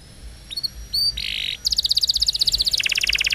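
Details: Belgian canary song played as a lure to prompt silent canaries to sing: high, bright notes with a few thin whistles and a buzzy burst, then fast trills of rapid repeated chips, the last dropping slightly lower.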